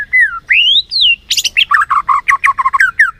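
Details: Lure song of a white-rumped shama meant to stir other shamas to sing: two long rising and falling whistles, then a burst of buzzy notes and a quick string of short chirping phrases about five per second.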